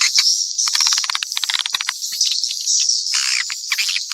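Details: Swiftlet calls in a mix: high, thin twittering with bursts of fast clicks and a few descending buzzy notes near the end.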